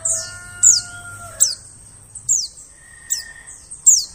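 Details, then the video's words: White-eye calling as a lure for birds in the forest: high, thin downward-sliding chips repeated about once a second, overlapping a rooster crow at the start and a brief whistled tone later. "suara pikat burung pleci"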